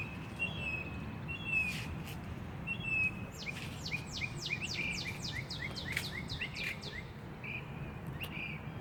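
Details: Bird song outdoors: a few thin whistles early on, then a fast run of high, downward-slurred notes through the middle seconds, with scattered short calls afterward, over low steady background noise.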